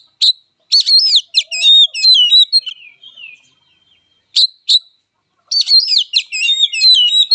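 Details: Fighting song of an oriental magpie-robin (kacer): loud, varied whistled phrases with rapid rising and falling notes and harsh buzzy bursts, in two bouts separated by a short pause and a few single sharp notes.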